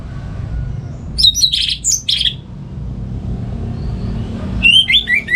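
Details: Home-kept orange-headed thrush in Singaraja, North Bali, singing on a morning as a lure and tutor for other birds. A burst of scratchy, high warbling notes, a pause, then a falling run of quick whistles, over low rumble.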